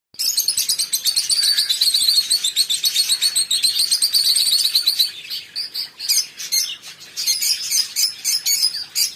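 Lovebirds chatter in dense, high-pitched squeaky chirps, several birds overlapping in a rapid, almost continuous stream that turns choppier toward the end.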